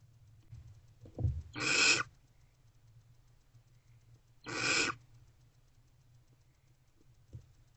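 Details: Night recording from a barn owl nest box during food deliveries, 28 February 2024: two harsh, hissing screeches about three seconds apart, a thump before the first and a faint tap at the end.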